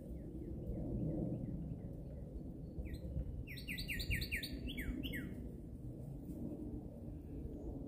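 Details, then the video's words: Songbird singing: soft falling chirps, then a loud burst of rapid, clear down-slurred whistles repeated in quick succession, trailing off, against constant low-pitched ambient noise. "bird song"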